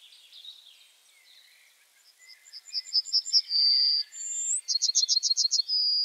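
Yellowhammer song: a quick run of high, thin repeated notes ending in a drawn-out note, then a second fast phrase closing on another long note.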